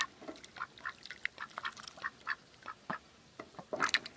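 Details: Domestic ducks, a female described as strong, giving a run of short, rough quacks at about three per second with uneven gaps, ending in a louder, denser burst.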